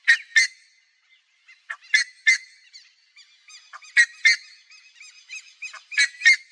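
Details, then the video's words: Buff-necked ibis (Theristicus caudatus) in natural Cerrado habitat of fields, pastures and wetlands, Brazil, giving loud, harsh, metallic honks in paired bursts about every two seconds, with softer nasal clucking notes in between. "O CANTO da CURICACA (THERISTICUS CAUDATUS), BUFF-NECKED IBIS"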